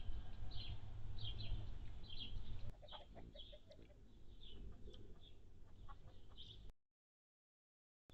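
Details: Hummingbird at a feeder on June 7, 2022, a day with a high of 76F and a low of 51F: thin, high chips about two a second over a steady low rumble.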